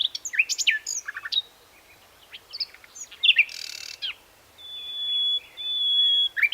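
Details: Common nightingale (Luscinia megarhynchos) singing: quick varied whistles and chirps at first, then a harsh buzzy burst and pauses, ending in long, steady, high whistled notes held for about two seconds.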